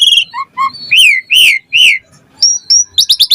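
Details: Energetic Asian pied starling song, packed with varied fill-in notes and played to get lazy birds singing; high whistles and falling slurs, then three loud swooping notes, a pause, and a quick run of sharp chips.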